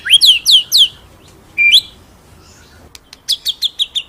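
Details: Master song of a white-rumped shama, 'ngeroll nembak' style used to train other birds: three loud downslurred whistles, a single rising whistle after a pause, then a row of five sharp high chips.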